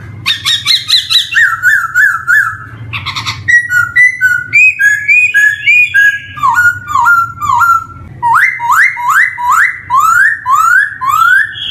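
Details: Black-throated laughingthrush song used as a lure for young birds just starting to sing; loud, varied whistled phrases, slurred notes and rising repeated whistles, with harsh buzzy bursts and a low background hum.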